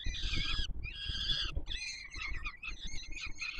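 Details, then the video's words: Chicks of peregrine falcon, fed by the male at the Palace of Culture and Science in Warsaw on 7 July 2022, utter loud rasping begging screeches in three long bursts, the last more broken and wavering, over low noise. "Franek karmi maluchy"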